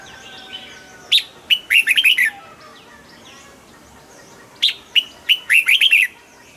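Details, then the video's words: Red-whiskered bulbul cage bird, a favourite of double-style fanciers, delivering two brisk phrases of quick slurred whistles, each opening with a sharp note and running into a bubbly cluster of five or six notes, about three seconds apart. "นกปรอดหัวจุก นกปรอดหัวจุก เสียงนกกรงหัวจุก ขวัญใจสายเบิ้ลอาชีพ"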